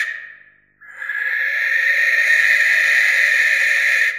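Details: A Barn owl screeches: a brief harsh tail at the start, a pause, then a sustained raspy hissing scream lasting over three seconds at steady loudness.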